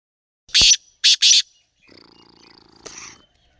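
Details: Black francolin (kala teetar) calling: three loud, harsh, grating notes, the first short and the next two close together, followed by a faint low hum and a brief click.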